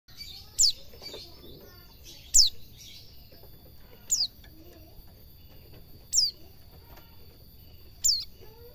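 A white-eye gives thin, high notes that slide downward, one roughly every two seconds, over a steady high-pitched hum and low background rumble.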